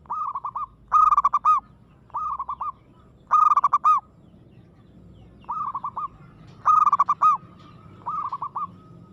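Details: Zebra dove, local perkutut, singing aggressively: repeated trilled coo phrases of quick bouncing notes, alternating loud and softer bursts roughly every second, two birds seemingly answering each other against a quiet background.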